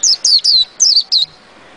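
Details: White-eye song in the ngerol ngalas style: five piercing, downward-slurred whistles in two quick groups, three then two, ending in stillness with only soft low knocks in the background.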